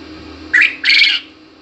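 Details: Quail calling: a short rising squeaky note followed at once by a longer, harsh, buzzy note, the pair lasting about two-thirds of a second in a quiet setting.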